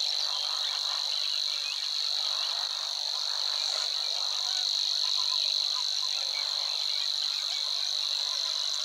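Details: Savi's Warbler singing in marshland near the Weerribben at Wetering West, Overijssel, Netherlands, 6–7 May 2022: a steady, high, insect-like reeling trill running unbroken through the recording, with scratchy chatter from other reed birds beneath.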